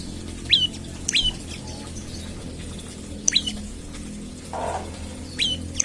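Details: Olive-backed tailorbird calling in the morning to draw other birds into song: scattered sharp high two-note chirps, with a soft splash or rustle in the middle.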